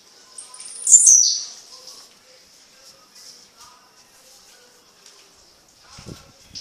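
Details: Blue-black Grassquit, called tiziu, singing at night in Fragoso, Magé, Rio de Janeiro: a single sharp, high, buzzy note that sweeps downward, followed by near silence with faint ticks and a soft knock at the end.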